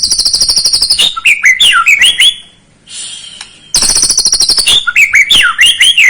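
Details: White-rumped shama song used as a lure to rouse a young bird to sing: loud rapid high trills, then varied slurred whistled phrases, a brief quiet gap, and the trills and whistles return.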